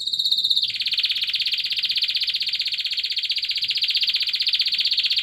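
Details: Male canary courting a female for mating: a long, fast, even trill of rapid repeated notes, steady and sustained for over four seconds after a short higher opening phrase.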